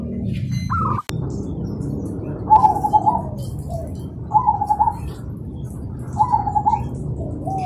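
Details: Zebra dove (perkutut) singing in the morning amid birds answering each other: a sharp click, then three short stuttering coo phrases spaced about two seconds apart over steady low rumble.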